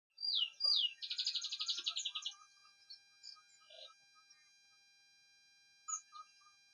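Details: Male canary singing busily while its mate incubates a clutch of four eggs; two sharp downslurred notes, then a fast buzzy rattling trill lasting about a second, fading into scattered soft chirps.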